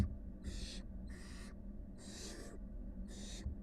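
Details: Wild barn owl nestlings, part of a brood of five living with their mother, give four harsh, breathy hisses, each lasting about a quarter second and separated by short gaps, over a steady low hum.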